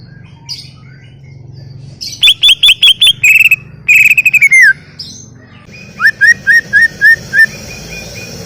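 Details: Greater green leafbird in full song: a fast series of sharp repeated whistled notes, a drawn-out falling trill, then six evenly spaced upslurred whistles about every third of a second, with low background hum.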